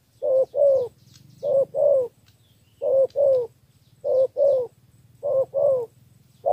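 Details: Vietnamese spotted dove from Cà Mau, cooing in the three-note 'thổ' style used to lure wild field doves; paired mellow hoots, a brief note then a longer one, repeated five times at even intervals.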